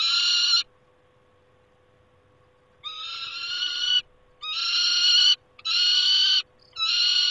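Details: Peregrine falcon calling at its nest on 28 August 2021: rasping, harmonic-rich screams, one cut off, then a two-second pause before several more wails in quick succession, with gaps shorter than a second.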